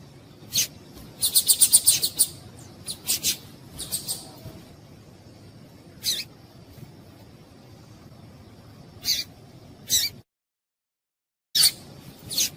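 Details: Female seedeater (papa-capim) call used to stimulate males; a fast run of bright, high chips early on, then single chips at irregular intervals separated by quiet stretches, with a brief total silence near the end.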